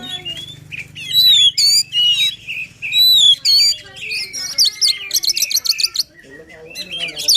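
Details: Oriental magpie-robin singing 'gacor' with emotion, aimed at waking up a lazy singer: loud slurred whistles, then a dense burst of high scratchy trills, against a soft low hum.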